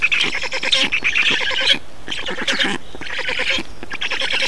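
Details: A feeding among Estonian black storks on 2 June 2019. Coarse, rasping calls rise in long pulsed bursts, with a pause after nearly two seconds and then more bouts of clattering squawks.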